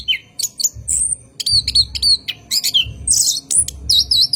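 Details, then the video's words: Orange-headed thrush delivering a long rolling night song, used as a lure for cage birds: sharp high whistles, buzzy warbled phrases and fast repeated chips, with dull low thuds between. "PANCINGAN ANIS KEMBANG GACOR MALAM HARI | NGEROL PANJANG COCOK UNTUK PANCINGAN ANIS"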